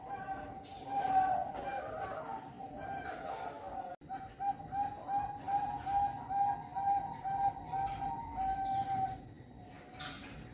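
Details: Champion competition zebra dove from Cirebon, Indonesia, a national winner hatched 25 December 2021, giving a steady run of low cooing notes repeated rapidly, partly masked by a hissing, noisy background with a brief dropout near four seconds.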